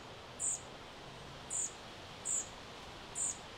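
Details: A European pied flycatcher fledgling in summer at Sastamala, Finland, on 29 June 2025, gives four thin, very high-pitched notes, about one each second, over the steady drone of a distant chainsaw.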